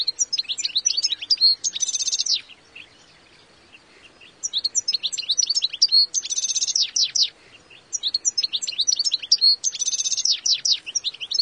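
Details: Wild European goldfinch singing its own individual song: three bursts of rapid, tinkling high twitters and trills with a buzzy rattling section, each burst about two seconds, separated by short pauses.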